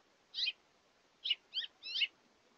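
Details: Hungry house finches visiting a seed feeder through the day; a bird gives four bright, slurred two-note chirps, spaced unevenly over a couple of seconds, in otherwise quiet surroundings.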